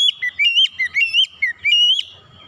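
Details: Loud whistled song from a raw, untrained oriental magpie-robin: a rapid series of about eight clear, fluted notes alternating upslurred and downslurred, steady and piercing, in roughly two seconds.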